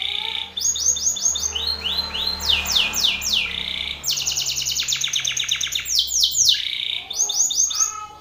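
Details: A Belgian canary male sings loudly in the face of a rival male. Varied phrases follow one another: quick sweeping trills, buzzy rattles and clipped chirps, with a faint low hum in the background.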